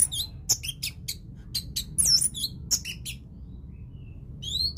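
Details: Orange-headed thrush in teler song style: quick varied high notes, chips and curling whistles in uneven clusters, ending after a pause with a single rising whistled note.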